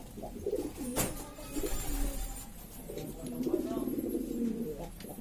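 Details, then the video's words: Domestic pigeons of assorted breeds in East Lombok give a soft chorus of low, wavering coos, with a sharp knock near the start and faint human voices in the background. "burung merpati ini ribut sendiri"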